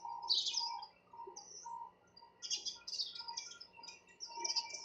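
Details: Sparrow chirps come in separated bursts of quick high notes with short quiet gaps between them, and a soft mid-pitched tone underneath.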